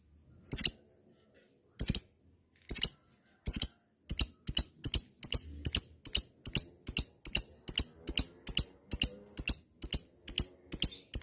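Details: Lovebird chatter meant to provoke lazy birds into a long ngekek: sharp, high clicking chips, widely spaced at first, then speeding into an even run of about two notes per second, each chip bright and metallic.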